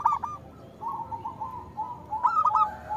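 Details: Local zebra dove used as a singing lure for quiet doves: a short cooing burst opens, a softer drawn-out tone follows, then another quick run of clipped coos, over low background noise.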